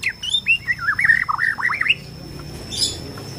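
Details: White-rumped shama of the Borneo type, played to provoke shamas into singing and fighting: a fluid run of looping, slurred whistles wavering up and down in mid pitch for two seconds, then a brief higher burst.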